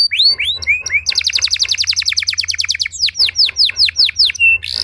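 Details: Canary song for prompting other canaries to sing: a few swooping whistles open into a long, very fast even trill, then a series of loud down-slurred whistled notes and a final harsh buzz.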